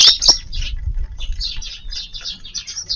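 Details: Eurasian tree sparrows in a garden at lunchtime, 13 March, giving a steady series of short, high chirps roughly several per second, with a couple of louder opening notes and a low rumble beneath.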